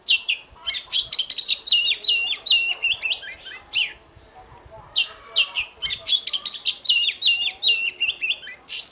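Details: Morning contest song of an oriental magpie-robin used to provoke singing: fast runs of bright, stepped whistled notes repeated rapidly, several a second, in two long bursts separated by a short thin high whistle.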